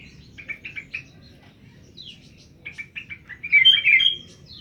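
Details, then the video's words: Bird caught the day before, after Friday prayers, singing right away: quick chirpy notes in short rapid runs, then a louder tangled twittering burst near the end. "Burung dpet kmren lngsung bunyi"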